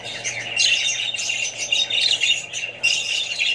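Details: Budgerigar flock with babies: loud bursts of high squawky chatter and chirps in waves, broken by brief dips roughly every half second, over a faint low hum.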